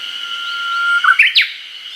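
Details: Uguisu in a Hokkaido forest during early summer, recorded with a Nikon COOLPIX P950: one even whistle held for about a second, ending in a rapid three-note flourish that jumps up and finishes with a steep descending slur, over a steady hum.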